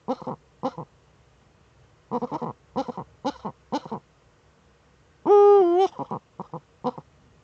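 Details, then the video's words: In a nest niche in northern Rhineland-Palatinate, Germany, a female Eurasian eagle-owl courts on 10 May 2013, still in breeding mood: spaced groups of short gruff chuckling notes, then one sustained wavering wail and further clucks. "Uhu-Weibchen balzt in der Brutnische"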